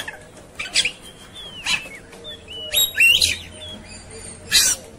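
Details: Oriental magpie-robin singing in a raging, fighting mood: clear whistled notes, some sliding down, spaced between harsh broadband rasping bursts, with quiet gaps between phrases.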